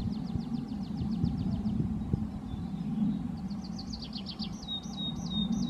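A Yellowhammer gives a rapid run of about a dozen high, thin repeated notes, then a second run ending in drawn-out notes, over a steady low rumble.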